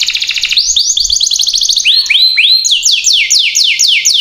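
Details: Energetic canary song played to prompt other canaries: a rapid rattling trill, then rising and falling slurred whistles repeated quickly, bright and high.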